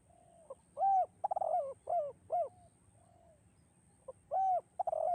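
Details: Spotted dove singing its echoing "kuk 2" style, presented as a master and lure song for doves in the rice fields; soft mellow coos in short groups, a rounded rising-falling note followed by quick tremolo coos, repeated after a pause.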